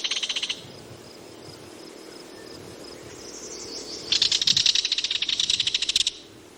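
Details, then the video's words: A kingfisher gives fast, high, shrill chattering rattles, a brief burst then a longer two-second run, over a faint low background hum. "Kingfisher Bird Call Sound"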